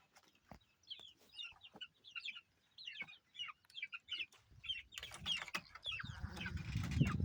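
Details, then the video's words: Baby chickens chirping: a run of clear, high, down-slurred peeps repeated about three times a second, later joined by louder rustling, scratching and low rumbling noise. "Chicks Chirping Sounds - Baby Chicken"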